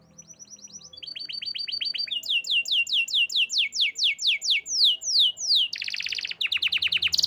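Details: Canary singing a varied song: soft repeated high notes building into loud descending sweeps repeated about twice a second, then a dense buzzy trill and rapid clicking notes at the end.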